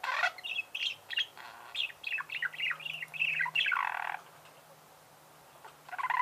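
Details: Budgerigar kept at home, chirping in a quick run of bright squeaky notes and warbles for about four seconds, then quiet, then a fresh harsh chirp at the end.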